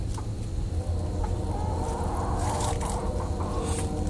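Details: A rooster, seemingly the only male in a flock of thirteen chickens, gives its wake-up crow: a drawn-out harmonic call of about two seconds, partly buried under heavy low rumbling noise, with a few sharp clicks.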